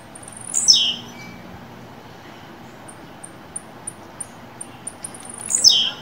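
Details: Captive blue-black grassquit warming up to sing: two brief high descending buzzy sweeps about five seconds apart, with soft regular ticking clicks between them.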